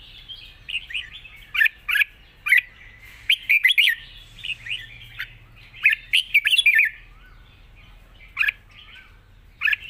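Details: Red-whiskered bulbul singing a wild-style song with long phrases: a lively, continuous chatter of bright, slurred whistles in quick clusters, later thinning to single sharp notes several seconds apart, over a faint low hum.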